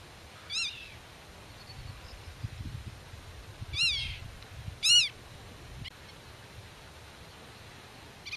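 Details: Black-tailed godwit guarding its territory and hidden young in the grass: three loud, harsh, rising-and-falling cries at irregular intervals, the last two about a second apart, over quiet background.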